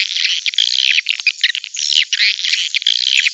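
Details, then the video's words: Swiftlet calls used as a lure to attract birds to a nesting house: continuous dense, overlapping high twittering and chattering, like many birds calling together, with short dips between bursts. "SUARA PEMANGGIL PANCING WALET DATANG"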